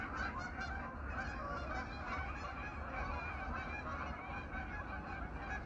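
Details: A large flock of 500 to 800 geese, returned to their pond for the autumn evening, honks loudly and continuously, a few clearer calls near the start rising above the dense chorus.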